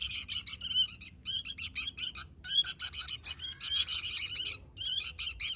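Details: Sooty-headed bulbul in vigorous song: rapid, high, slurred chirps in bursts of about a second, broken by short pauses, over a faint low hum.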